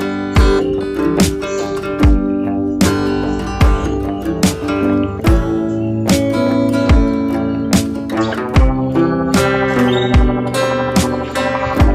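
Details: Strummed acoustic guitar music plays throughout, with no animal sounds.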